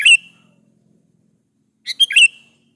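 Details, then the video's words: Kutilang, the sooty-headed bulbul, singing gacor-style as a lure for other bulbuls to reply; two brisk phrases of clipped chirps, each closing with a sliding whistle, separated by nearly two seconds of quiet. "KUTILANG jenis apapun Pasti nyaut di Masteri suara burung kutilang gacor ini"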